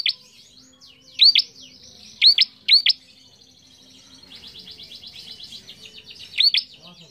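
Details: Bar-winged prinia song used to train young cage birds, with several loud paired rising chips and a long fast buzzy trill between them.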